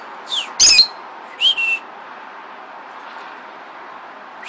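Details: Pet lovebird outdoors with its owner near Waipio on Oahu, Hawaii, giving short, high, rising chirps and whistles in scattered bursts, with one harsh broadband squawk-like burst early on and quiet background hiss.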